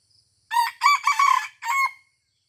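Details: Crow of a red junglefowl from Aceh, recorded while luring at Taman Rusa: four clipped, raspy segments in quick succession, the last standing apart after a brief gap, and nothing else audible behind it.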